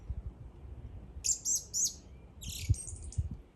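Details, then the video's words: A bird gives three short, high chirped notes in quick succession, then a brief run of rapid twittering, over a faint low rumble. "The bird is singing."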